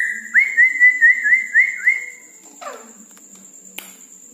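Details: Red-breasted parakeet in lively night-time song, giving a rapid run of six short upslurred whistles on one pitch, then a falling buzzy note and a sharp click, with a steady high electronic tone throughout.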